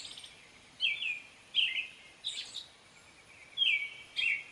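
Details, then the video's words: American robin giving spaced whistled carols, a few downslurred phrases with gaps of about a second, faint steady hiss in the background. "American robin bird call / song / sounds"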